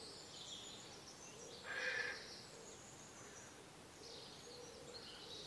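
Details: Barn owl at a nest box in early spring, during a bitterly cold start with snow on the ground: one harsh, hissing broadband screech of about half a second, rising out of steady background noise, with quieter hiss before and after.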